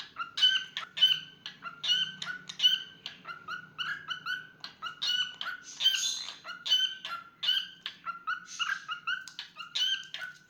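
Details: A cockatiel kept as a pet sings a long, busy sequence of short whistled notes and chirps, repeated irregularly, with scattered rasping bursts mixed among the tonal syllables and a soft low hum early on.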